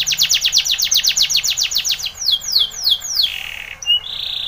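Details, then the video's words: Spanish Timbrado canary singing a training song: fast runs of high descending sweeps repeated about four times a second, then slower downward slurs, a short buzzy note and a sustained whistle. "Timbrado canary's most powerful song for training - CANARY TRAINING SONG"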